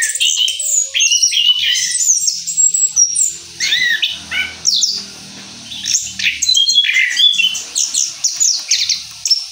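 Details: Orange-headed thrush following its moult, pouring out a rolling song of varied mimicking phrases: quick slurred whistles, chirps and trills in close succession, with a soft low hum behind.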